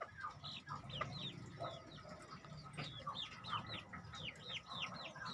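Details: Two-month-old crossbred decoy red junglefowl give arched, high cheeps, some clearly separate near the end, while low rumbling noise sits underneath.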